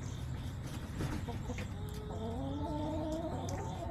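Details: Hens from a backyard flock, recorded on September 20, 2024 by a coop-side camera, give drawn-out harmonic calls that rise and stretch through the second half, layered over a low background hum.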